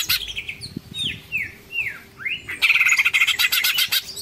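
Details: Greater green leafbird singing 'ngekek panjang' style: a run of clear downslurred whistles, each dropping in pitch, then an abrupt switch to fast rattling chatter.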